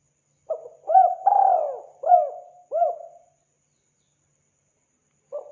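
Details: Spotted dove giving a series of soft, hooting coos, each note a short rising-then-falling hoot. One longer drawn-out coo sits in the middle, the notes follow closely, then silence, then one more coo begins at the end.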